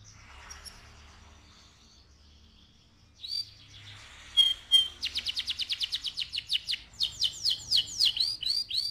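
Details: Canary singing to excite the male and prepare the female for breeding: quiet start, then a loud high note, a rapid run of clipped repeated notes, and slower sweeping whistled notes to the end.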